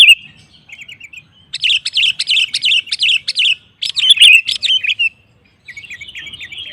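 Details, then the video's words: Sooty-headed bulbul singing energetically to provoke rival males into singing: bursts of rapid, warbled, chirping phrases in short clustered series, with brief pauses between bursts and a faint low rumble beneath. "Suara Burung KUTILANG GACOR Memancing Lawan Kutilang Lain Emosi Ikut Gacor"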